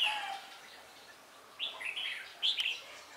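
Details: Decoy red-whiskered bulbul singing during a trapping session: two quick, chirpy warbled phrases close together, bright and slightly slurred, over a faint background hiss.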